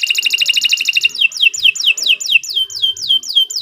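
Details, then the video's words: Kenari Nusantara canary song: a fast rattling trill gives way to a series of bright downslurred whistles, about four each second, with clear, loud notes throughout. "Kicau Burung Kenari"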